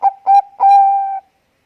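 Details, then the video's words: Zebra dove of the Bangkok type, singing actively: three soft, low, hollow cooing notes, two short ones followed by a longer drawn-out coo that holds steady before stopping abruptly; nothing else audible. "perkutut bangkok gacor langsung bunyi"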